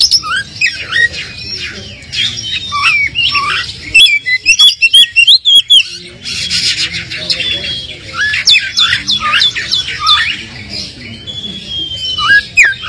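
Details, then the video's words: Oriental magpie-robin in dense, excited song meant to stir a less aggressive bird into answering: busy bursts of rapid whistles and harsh chattering notes, broken by short gaps and sharp clicks, continuing for over ten seconds. "pancingan kacer kurang emosi,dijamin langsung nyaut"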